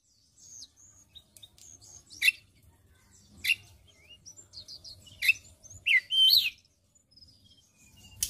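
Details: ['White-browed shortwing, training lure for songbirds: scattered short high chips and twitters, with abrupt sharp notes every second or so, building to a dense tangle of squeaky slurred notes near the end.']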